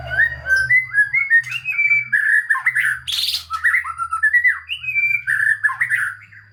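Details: White-rumped shama in full-fill-in song, used to stir lazy shamas into singing: a continuous flow of varied, rich whistled phrases, rising and falling, broken by one brief harsh burst in the middle.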